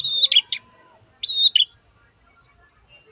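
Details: Long-tailed shrike giving two whistle-and-rasp phrases, each a level high whistle with a harsh scratchy ending, then a softer pair of thin high notes.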